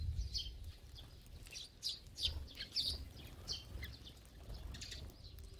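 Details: A flock of sparrows feeding together at a feeding spot: scattered bright, short chirps from several birds overlap irregularly, with faint low background rumble.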